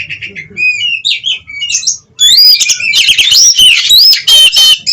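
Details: Captive-bred oriental magpie-robin in energetic, loud song, said to steady breeding drive and emotion: varied whistles, harsh chattering notes and rising slurred phrases, rapidly delivered, with a short pause before a louder dense burst.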